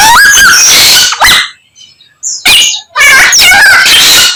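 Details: Samyong singing a varied medley that imitates many other birds. Rapid, rich whistled and chattering phrases with sliding notes break off into a near-silent pause. A brief sharp high note follows, then another dense burst of mixed whistles.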